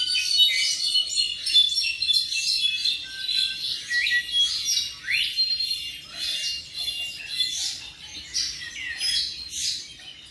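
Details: Tropical mockingbird aged about seven months singing a varied series of sweeping upslurred whistles, chirps and squeaky notes, each phrase repeated a few times before a new one.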